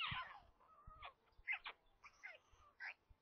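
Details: Nestling white storks in central Russia near Kaluga at lunchtime feeding, late May, filmed by a nest camera: a strained falling wail followed by short, sliding whines and squeaks, with low thuds beneath.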